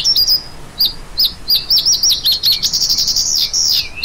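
A lark gives a run of quick, high chirps and trills, some notes dipping and rising, ending in a longer sustained warble.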